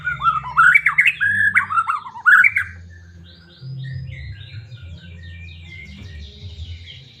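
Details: White-rumped shama from Medan singing to excite other caged shamas; a run of repeated looping whistled phrases for nearly three seconds, then quieter trilled notes over a low continuous hum.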